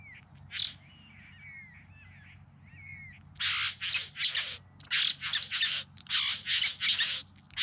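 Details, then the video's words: Bowerbird singing and dancing at its display in the Yarra Valley near Melbourne, September: soft whistled, slurred squeaky phrases open the sequence, then a fast series of loud, rasping, hissing churrs about twice a second. "Bowerbirds Singing and Dancing"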